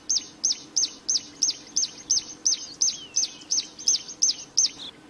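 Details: Wild plain prinia in full, lively song: sharp high notes repeated steadily about three times a second, each a quick rising-then-falling chirp, with a faint low hum beneath.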